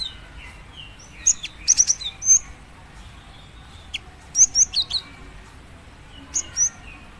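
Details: Female cinereous tit calling a male, uttering short bursts of high, clipped chirps and downslurred notes, with quiet gaps of a second or more between groups.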